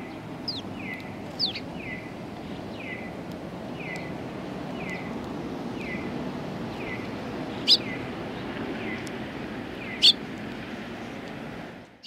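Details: Sparrows coming to a bench to be fed on 24 March 2020; a steady series of short down-slurred notes about every half second, with a few higher sharp chirps, over a low outdoor background rumble.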